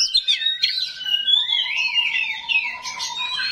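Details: Oriental magpie-robin, 'kacer rawit' type, delivering coarse 'isian kasar' fill-in material meant to provoke other magpie-robins: a continuous stream of warbled, sliding high notes over a steady sustained lower whistle-like tone.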